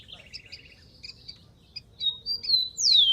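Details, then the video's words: Rufous-collared sparrow, wild, giving a dry buzzy trill, then thin chirps, then two strong whistles sweeping downward; soft low hum in the background. "BURUNG KICAU"SPARROW RUFOUS"(KICAU MANIA)Full Gacor di alam liar"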